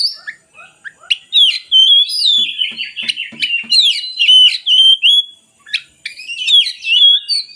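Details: Oriental magpie-robin in full song, for coaxing idle magpie-robins to sing: sharp whistled phrases and buzzy trills, broken by short pauses, with faint low tapping sounds in the middle.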